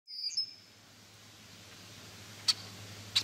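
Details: Female red-winged blackbird dive-attacking a person and cat in a yard near her nest: one short, thin, high whistle near the start, then faint clicks and a steady low hum.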